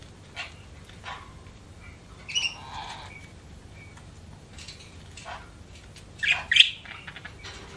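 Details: Budgerigars chirping: a few short, bright, high chirps scattered over a quiet background, with one louder burst of twittering near the end.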